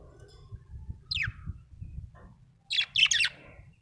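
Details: Happy budgerigar chirping, with one descending chirp near the start and a quick cluster of three or four sharp, buzzy chirps toward the end over a low background hum.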